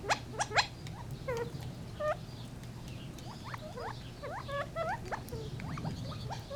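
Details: Gambel's quail giving a busy string of short chirps and slurred notes, bunched in places and falling or rising in pitch, over a constant low hum.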